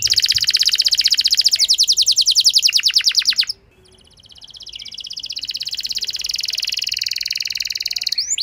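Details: Canary song used as a lure to spur a less eager canary into long singing: fast rattling trills of high notes, a brief pause, then a buzzy sustained trill continuing to the end.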